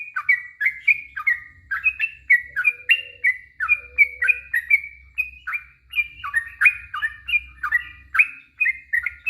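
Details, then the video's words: Yellow-vented bulbul, long rapid warble (ropel panjang) used as a lure to draw answers: continuous chattering chirps rising and dropping in quick succession, faint low hum underneath. "Suara trucuk ROPEL PANJANG,,trucuk stress trucuk bisu pasti nyaut seketika"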